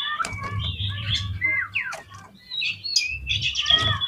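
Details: Oriental magpie-robin song used to provoke other magpie-robins: quick whistled notes, slurred upsweeps and scratchy bursts over a steady low rumbling hum.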